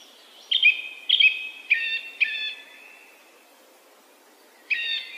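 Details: Singing song thrush repeats a short, rich whistled phrase four times in steady rhythm, falls silent for about two seconds, then starts a new phrase.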